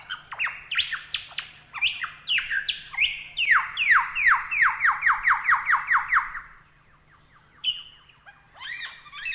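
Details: Lyrebird song prepared as tutor audio for songbirds: varied whistles give way to a fast, steady run of about fifteen loud downslurred notes. The song then fades to near silence before a few sharp chirps return.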